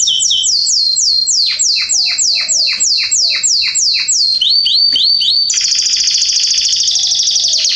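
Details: Canaries in a garden, September 2020, sing a steady series of about a dozen sweeping downslurred notes, then a quicker rising phrase, leading into a dense, loud buzzing trill; soft low chirps beneath.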